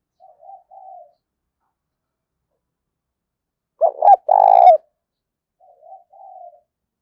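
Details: Decoy spotted dove urging and calling: soft, distant-sounding low coos, then a loud close phrase of two hoots and a long rolling coo, followed again by faint answering-like cooing notes.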